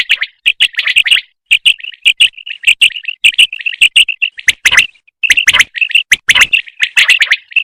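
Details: Female common quail calling, linked to quail hunting: a steady run of short, bright, high chirping notes, nearly two per second, broken by sharp broadband clicks and brief pauses.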